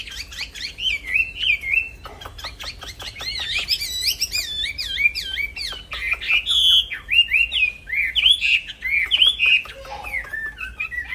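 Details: Caged black-throated laughingthrush, used as a master song for training songbirds, delivering a continuous chattering song of slurred, wavering whistled notes around mid-high pitch, with brief sharp clicks and a low steady hum beneath.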